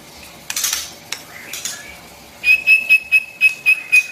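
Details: White-rumped shama phrase used for training young birds: after some clattering, a regular series of about eight bright, short, identical notes repeated roughly every quarter second.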